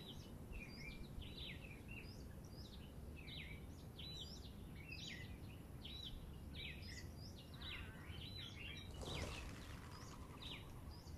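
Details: A flock of helmeted guineafowl (Numida meleagris) feeding in a South African backyard gives a steady chatter of short, high chirps over a low background rumble.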